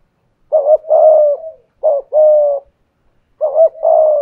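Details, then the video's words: Decoy spotted dove with the 'thổ pha thúc' voice style, cooing in a contest against a wild dove. Three low, hoarse phrases, each a short clipped note followed by a longer, level coo, with silent gaps between. "cu gáy giọng thổ pha thúc GÙ đấu với bổi, tiếng gáy bổi nghe rất ghét và gáy theo hiệu quả"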